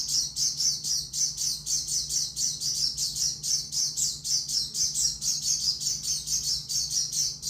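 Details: Oriental white-eye singing a long, even run of high, thin chirps, roughly four a second, sustained without a break against a quiet low hum.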